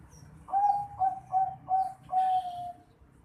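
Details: Bangkok zebra dove chick, 4.5 months old, calling five mid-pitched cooing notes. The first four are short and evenly spaced. The fifth is drawn out and slightly falling. The background is quiet.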